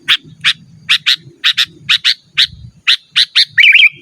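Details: Rapid scratchy notes from a sooty-headed bulbul calling out rivals, in quick doubles, roughly two per second, finishing with a short bubbling warble; faint low rumbling underneath.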